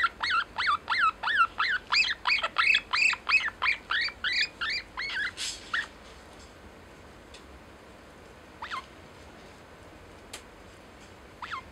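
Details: Lineolated parakeet kept as a pet, saying "daisuki" ("love you") to its owner: a regular series of sharp, bright, warbling notes for about six seconds, then silence broken by a few single chirps and faint clicks.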